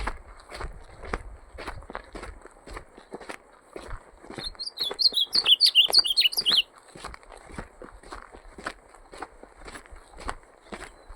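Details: Ultramarine grosbeak singing in a song contest: one fast, warbled phrase of high, sliding whistled notes lasting about two seconds, set against steady dry clicking and tapping throughout.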